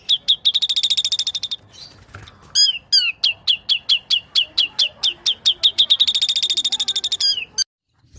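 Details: White-rumped shama giving long series of sharp, clear repeated notes, about four per second, broken once by a brief rustle. The notes then resume and build into a fast, dense trill before an abrupt stop.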